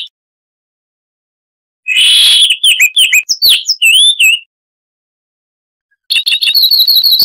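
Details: Loud, clear song of the Chestnut-vented warbler, Sylvia subcaerulea, a southern African scrub bird. After nearly two seconds of silence comes a burst of quick twisting whistles and chirps, then another gap before a rapid, repeated ringing series.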